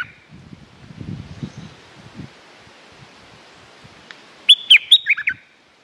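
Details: Stripe-throated bulbul singing for luring territorial rivals: after several seconds of faint low rumbling and rustle, one lively phrase of about six fast slurred whistles and chirps, descending slightly toward its end.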